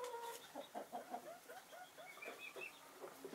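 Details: Chickens of naked neck, Marans and Easter Egger breeds basking in winter sun; soft, quiet clucks and short tonal notes in a loose run, some higher squeaky notes later, low overall level.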